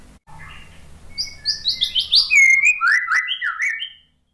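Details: White-rumped shama singing as a lure for a bird reluctant to sing after moulting: it starts quietly, then high notes step downward into a run of fast, lower, chopped whistles.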